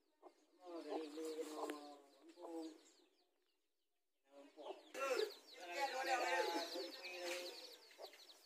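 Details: Territorial encounter between mother hens in a garden with their newly hatched chicks: a run of buzzy, harmonic clucking calls, a brief pause, then dense high peeping from chicks mixed with further hen notes.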